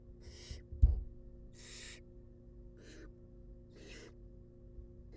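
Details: Barn owl chicks in a wild nest box begging as food arrives: five fainter rasping hisses spread over five seconds, a single loud thump early on, low hum throughout.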